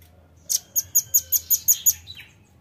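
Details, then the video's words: Velvet-fronted nuthatch call used as a lure: eight crisp, very high chit notes repeated about five per second, ending in a short down-slurred note, over faint low hum. "PANCING BUNYI RAMBATAN PARUH MERAH"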